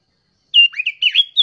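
A young sooty-headed bulbul gives about a second of bubbly, liquid whistles: quick rising and falling notes run together in one lively phrase, with nothing else heard.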